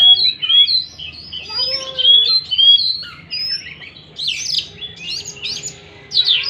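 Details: Oriental magpie-robin singing, recorded to provoke a silent, stressed bird into singing again: a run of clear upslurred whistles, then loud harsh scratchy notes in short bursts, about two phrases a second.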